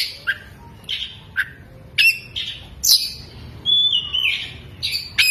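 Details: Oriental magpie-robin opening its tail as it sings, mixing in lovebird imitations: sharp separate chirps spaced irregularly, then a longer whistled descending phrase and more scratchy notes.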